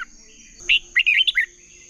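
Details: A Red-whiskered bulbul in competitive singing, used to stimulate other birds: one short phrase of bright, slurred whistles rising and falling, about five notes packed into under a second.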